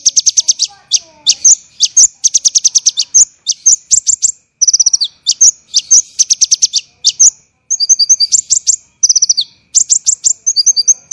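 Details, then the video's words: Olive-backed sunbird (kolibri ninja) delivering dense, rough 'tembakan' bursts for songbird training: very high, rapid stuttering trills in runs of five to ten notes, broken by brief pauses, with a few level whistled note strings near the end. "MASTERAN KONIN tembakan rapat dan kasar"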